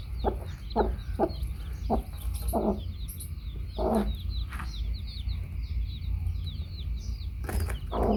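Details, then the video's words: Hen accompanied by baby chicks, giving short soft clucks at irregular intervals, several in quick succession early on, then sparser, beneath continuous high-pitched cheeping and a low steady hum. "Baby Chicks hen"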